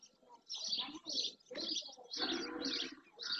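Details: Barn swallows, dozens and many juveniles, flocking by the marsh in Doñana National Park, Andalusia, Spain, early June: continuous high, rasping twitters in pulses about once a second, over a lower murmur of other bird calls.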